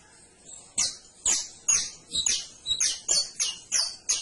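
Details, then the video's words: Canary singing a steady series of about nine loud, bright high notes, each a sharp downward sweep, spaced roughly every third of a second to half second. "CANARIO CANTO - 21 MINUTOS DEL AVE CANTANDO"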